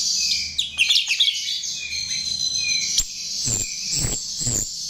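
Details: Lure recording of a chestnut-tailed starling singing, a continuous shrill, buzzy warble with thin descending whistles, broken near the end by a few loud sharp clicks.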